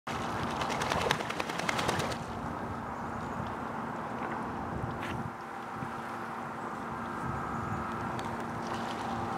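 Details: Wind noise and rustling, with a burst of clattering at the start and a constant low hum, and no animal call.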